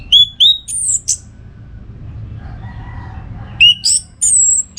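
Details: Orange-headed thrush in full song, used to train songbirds for contests: two bursts of bright whistled notes and sharp high sweeps, a quiet gap with a faint low tone between them, light rumble underneath.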